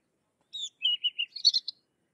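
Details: Sykes's lark giving a brief phrase: a high whistle, then three evenly spaced lower chirps, ending in a fast, scratchy cluster of high notes.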